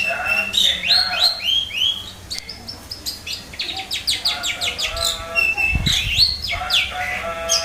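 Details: Caged long-tailed shrike answering quickly after a lull. Its rapid, scratchy song mixes high whistled sweeps, clipped chirps and trill bursts, about three notes a second, with a brief low thump midway.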